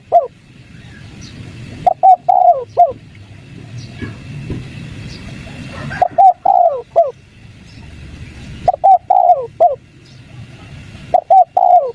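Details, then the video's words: Spotted dove cooing in the 'kuk 3' pattern, used to lure wild doves into calling: hollow, low phrases of clipped coos and one long falling note, four bouts separated by irregular pauses, steady low background noise. "PANCINGAN DEKUKUR KUK 3 | BURUNG TEKUKUR LIAR MALES BUNYI LANGSUNG NYAUT"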